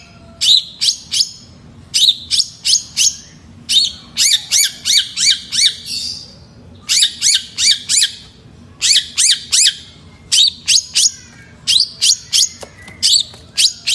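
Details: Long-tailed shrike singing loudly: harsh, rasping notes delivered in rapid clusters of three to six, about three per second, with short pauses between bursts.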